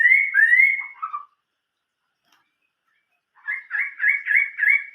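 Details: Song of a Chinese hwamei in old-forest style (giọng rừng già): two long clear whistles and a lower trill, two seconds of silence, then a fast run of repeated warbled notes.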